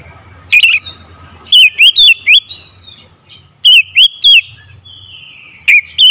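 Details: Oriental magpie-robin morning song made of short, crisp whistled notes with a wavy twist, delivered in small clusters of two to four with brief gaps between.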